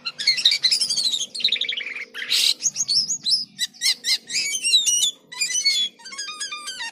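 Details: Lively, unusual song of a jalak kapas starling: fast falling whistled series, a harsh rasp, then quick sharp chips and repeated stepped whistles in short bursts, with a faint low hum behind.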